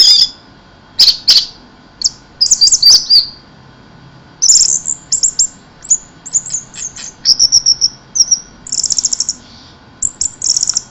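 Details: Orange-headed thrush singing in 'mabuk teler keserr' style: scattered high chips, then a run of thin, rapid trilled and hissing phrases.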